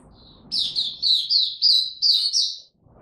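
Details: Oriental white-eye kept as a singer, ramping up form in buka tiong aw style, 3 January 2022: one soft note, then an energetic run of about eight sweet, high slurred chirps ending abruptly.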